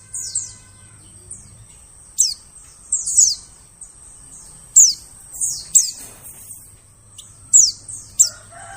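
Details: Lure recording of white-eyes to attract forest birds: shrill, falling notes in quick clusters with short pauses, and a brief lower chirp near the close.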